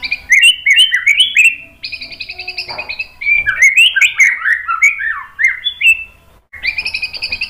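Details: Murai batu, the white-rumped shama, singing a lure song meant to stir other birds into replying; fast cascades of looping whistled notes alternate with harsh buzzy trills and short breaks.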